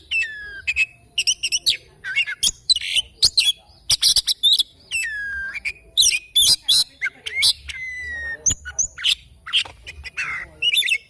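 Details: Morning singing from an oriental magpie-robin, loud rapid chirps and buzzy trills alternating with short falling whistles, packed closely across eleven seconds.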